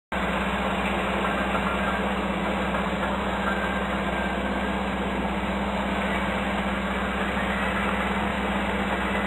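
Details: A constant droning engine-like hum with a steady low buzz fills the whole recording, and no animal voice can be picked out.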